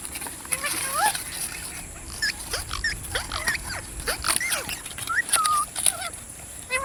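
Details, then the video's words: Parrot chirping and squeaking in short, irregular whistled notes spread across seven seconds, some rising, some falling, over a constant high whine. "Parrot Sound Videos | Parrot Sounds | Parrot Video | Talking Videos Compilation"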